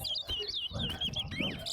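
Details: Chestnut-bellied seed finch (towa towa) singing in a bird singing competition at Betterhope Center ground: a rapid run of clear, warbling whistled phrases that rise and fall, with a final upward-sweeping note. A man counts aloud and crowd murmur is heard behind.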